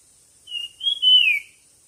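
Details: Competition-style bird song: a single whistled phrase in three connected parts, a level note, a higher note, then a long note sliding downward, clean and loud against a quiet background.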